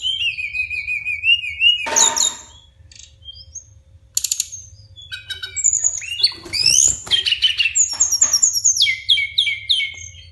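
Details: Brown-chested jungle flycatcher pouring out a long rolling ngeroll song of sweet whistles, rapid stuttering trills and sliding phrases, with a noisy flutter near the start and a low background hum.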